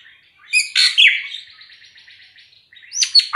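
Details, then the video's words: A drongo (srigunting krantil), a very vocal bird that calls all day with a varied voice, gives a few loud, ringing nasal notes, then a scratchy buzzing trill of about a second and a half, ending with sharp, down-slurred whistles. "Pancingan Srigunting Krantil Gacor"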